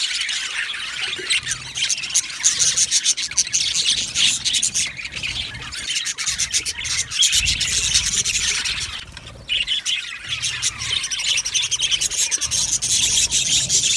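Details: Aviary budgerigars, described as happy, chatter nonstop in scratchy high chirps and squawks, the flock noise briefly thinning before resuming at full strength.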